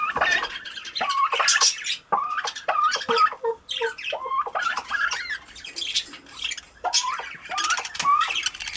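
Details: Two cockatiels, one visiting the other, giving a busy mix of chirps, squawks and short whistled rising calls, with scratchy rustling noises between them.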